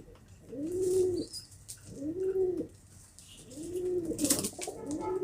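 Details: Low, arching pigeon coos, each about a second long and repeated steadily, with a short high chirp and a sharp click in the background.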